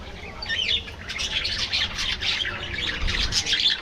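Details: A budgerigar colony in an aviary gives loud, scratchy warbles and squawks, with bending whistled notes threading through the constant chatter.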